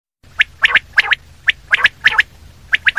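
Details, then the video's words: Common quail calling in sharp three-note phrases, short bright clicks bunched close together and repeated roughly every second, over a faint low hum. "Common quail sound// Batair ki awaz"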